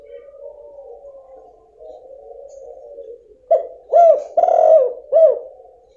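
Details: Female spotted dove call used to stir a quiet male into calling: a long low muffled purring coo, followed by a cluster of louder rounded coos, one drawn out, then a last short note.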